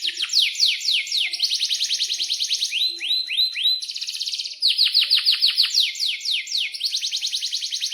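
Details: Canary in breeding condition giving a long, varied song: bursts of sharp downslurred chirps alternate with dense rapid rolls and a few rising slurs, nearly nonstop for eight seconds. Serves as a model song for young canaries.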